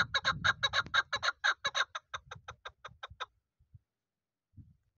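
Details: Rapid, loud chuk-chuk clucking from a young hunting chukar of this season, about twenty harsh notes that slowly space out and fade, over low background rumble, ending in quiet.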